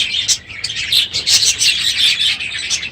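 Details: Budgerigars chattering in a full aviary on a noisy morning at the end of the breeding season: quick bursts of high warbling and chirps, overlapping and continuous.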